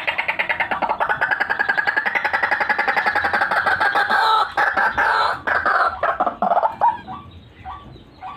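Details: White-breasted waterhen lure call: a dense, rapid stutter of raspy notes for about six seconds that breaks into louder irregular bursts, then tails off into scattered short croaks.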